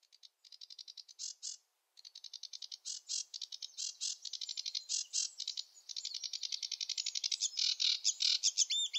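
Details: Sedge warbler song from a wetland bird: a rushed, chattering run of rapid dry buzzy notes, varied phrases in random order with a brief pause near two seconds, then faster rattling trills to the end.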